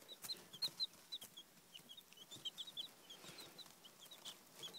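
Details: Baby chicks, described as wary while looking at their own reflection in a phone screen held up as a mirror, give quiet, thin, high peeps in rapid, irregular overlapping bursts, with faint rustling.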